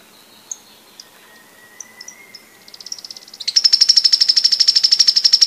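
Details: Sharp-billed treehunter song: a few scattered thin high notes, then a quickening series that swells into a fast, loud, dry high-pitched trill lasting about two seconds, over a quiet background.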